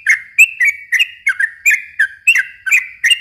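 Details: Brief burst of yellow-vented bulbul song used as a lure for young birds, quick gurgling whistled notes, each sliding downward, delivered at a brisk, uneven pace.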